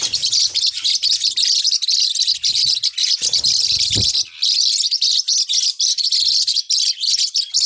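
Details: Forpus parrotlet calling: an unbroken run of high, rapid chirps and tweets, with one short low thump around the middle.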